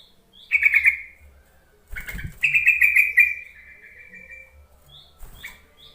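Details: Yellow-vented bulbul lure call, meant to coax reluctant, untamed bulbuls into calling back; two bursts of harsh, chattering notes that slide gently downward, the second lasting about two seconds, with faint rustling and knocks between.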